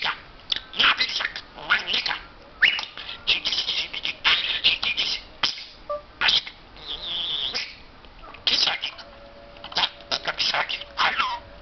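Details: Pet parrot that mimics words in English, German and Turkish, chattering in bursts of harsh, raspy, speech-like syllables with short pauses and a brief whistled note near the middle.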